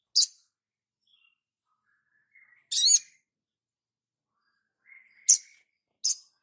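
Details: Crimson sunbird master recording for training cage birds: a few sharp, very high chirps separated by pauses, with faint thin whistled tones between them, on an otherwise silent background.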